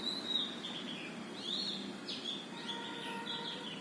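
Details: A sunbird at a house in New Delhi near the Qutab Institutional Area gives thin, high chirps and short sharp notes in quick bursts, over steady background noise with faint lower tones later.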